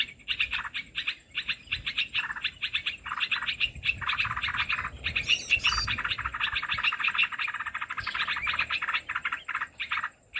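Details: Lure sound of Olive-winged bulbul, played to draw birds into trapping nets; dense run of babbling, chattering notes with a brief sharper burst midway and a constant thin high tone behind.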